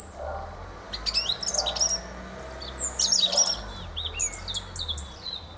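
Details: Fieldfare (Turdus pilaris) singing: a scratchy, chattering jumble of high squeaky notes and brief whistled phrases in short bursts, with pauses between, over faint low background rumble.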